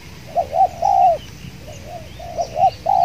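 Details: Spotted doves calling at a trapping spot with a decoy and an aggressive wild dove: a loud coo phrase, quieter distant coos, then a loud drawn-out coo, over insect hum and faint bird chirps.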